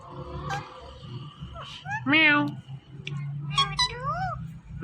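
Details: Pet rose-ringed parakeet talking over a low indoor hum: drawn-out, wavering nasal cries with a loud sweeping syllable midway and a falling, mewing phrase near the end, alongside a person's voice.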